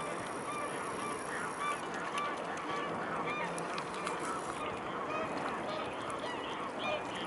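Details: Mute swans calling amid a dense, continuous chorus of nasal honking notes, with several clearer short honks standing out between about one and three seconds over a steady noisy background of many calling waterbirds.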